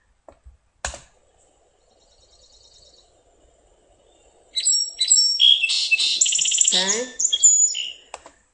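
A Song Sparrow opens with a few sharply accented high notes, then tumbles into a fast buzzy trill and a jumble of sweeping notes, about four seconds long. Soft clicks come first.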